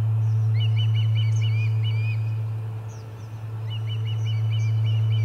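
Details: Charlo nest Ospreys on 30 July 2020, noisy around a fish delivery: a quick run of arched chirps, a quieter gap, then another burst of shrill chirps and thin higher squeals over a low hum.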